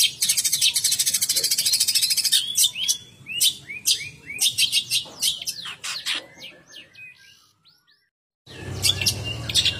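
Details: Long-tailed shrike from Banyuwangi giving a fast, scratchy song of high chattering notes and rapid trills, broken by a short silence before resuming; faint background hum.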